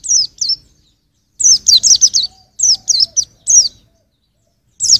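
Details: White-eye song meant for songbird training, clusters of three to five sharp descending chirps spaced by pauses, very high and clean against a quiet background.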